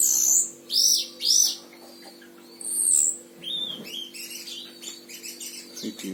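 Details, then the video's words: Oriental white-eye of the Himalayan type, Sragen, Central Java, Indonesia, known for long songs: sharp high downslurred whistles, then a longer high phrase and softer scattered chips, over a constant low hum. "Masteran Gacor Mantenan Himalaya"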